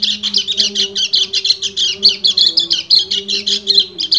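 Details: Male white-eye calling to a female in breeding condition, pouring out a rapid series of high, scratchy twittering notes, over a soft, low droning hum in the background.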